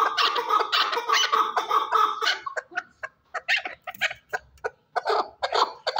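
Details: Chukar partridge from Shurobod: loud, harsh chattering notes run together at first, then break into separate sharp chuk-like calls with short gaps.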